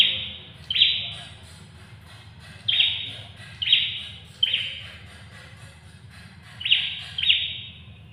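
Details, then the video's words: Short emphatic chipping notes of an ashy tailorbird with brief buzzy tails, spaced irregularly with longer pauses between, and a constant low rumble underneath. "Prenjak kepala merah (prenjak atas/prenjak tamu)"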